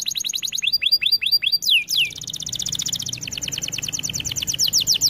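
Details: A Belgian canary sings in fast rolling tours for a song-training recording: repeated high chirps, a quick downward sweep, then rapid trills, all very bright and high-pitched.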